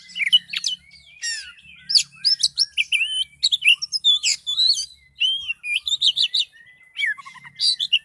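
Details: Oriental magpie-robin, a kept bird in full, highly agitated song: a dense run of varied whistles, sweeping slurred notes and sharp chirps, phrases tumbling one after another with only brief gaps.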